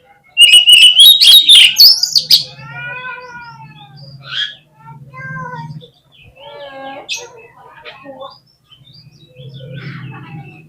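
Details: Lure song of an oriental magpie-robin to make other birds respond: a loud two-second burst of whistled notes climbing in pitch with rasping buzzes, followed by softer chirps, slurred calls and low clucking sounds.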